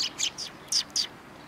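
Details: Sparrows by the road leading to a Tenmangu shrine on 13 December 2019, giving five brief, bright chirps in under two seconds, each a quick high note, spaced unevenly with short pauses.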